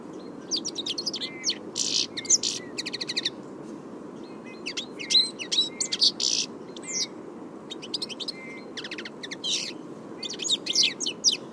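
European Goldfinch song: quick, bright twittering phrases of tinkling notes mixed with buzzy trills, coming in bursts with short pauses, over a faint low background hum.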